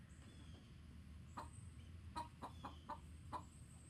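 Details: Chickens giving an alarm call to warn the flock: a quick run of six short, sharp clucks over about two seconds, some spaced closely in pairs, set against a steady low rumbling background and a faint thin high tone.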